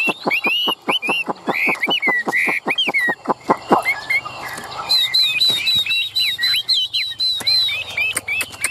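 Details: Caged Chinese hwamei in Vietnam pours out a fast run of sharp repeated notes at about four per second, then loud whistled slurred phrases with a brief noisy break between.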